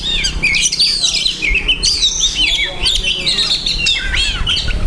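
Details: Oriental magpie-robin (kacer) singing a song rich in learned masteran phrases: rapid, varied whistles, slurred rising and falling notes and chirps in dense succession, with a faint low hum underneath.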